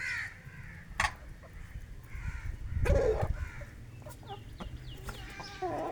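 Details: Aseel rooster and hens eating grain during a village morning feeding; short low clucks scattered through, one louder drawn-out cluck near the middle, with faint chirping of small birds behind.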